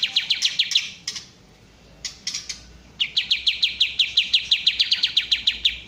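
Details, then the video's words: Kapas tembak bulbul delivering rapid, evenly spaced sharp notes, about three per second, in a long run after a brief hesitant pause with a few softer chirps. "suara asli kapas tembak top"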